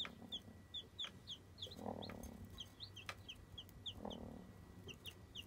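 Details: Newborn chicks, one day old after hatching, giving continuous high, short descending peeps in quick succession, with two louder lower clucking bursts in the background.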